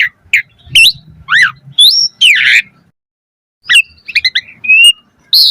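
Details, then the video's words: Asian pied starling singing in 'mompa' variation style, played to make kept starlings sing: spaced harsh squawky notes and falling whistles, a pause, then a quick stuttering series and a loud burst. "Pancingan Jalak Suren Full Variasi Mompa - Masteran Suara Burung Jalak Agar Gacor Full Isian Mewah"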